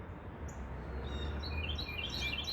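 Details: A Carolina wren sings loudly outdoors: a quick run of bright, high chirping notes over a steady low rumble, with a woodpecker faintly audible behind it.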